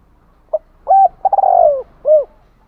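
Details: Spotted dove used as a decoy, calling to draw in wild birds. A brief opening note leads to a flat held coo, then a rapid stutter flowing into a long falling coo, ending with one rounded coo.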